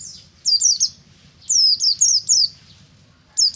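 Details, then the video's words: White-eye (pleci, buxtomi type) singing in the ngalas style in the morning, used as a lure to set other white-eyes singing: quick bursts of very high, thin, falling whistled notes in two phrases, with a faint low hum beneath. "BURUNG PLECI NGALAS DI PAGI HARI"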